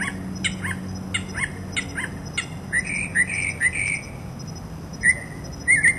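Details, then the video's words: Mockingbird song full of mimicked sounds: a run of quick, sharp, repeated chip notes, then varied slurred whistles and short squeaky phrases, each pattern changing after a few repeats, over a steady low background hum. "Mockingbird Song Serenade"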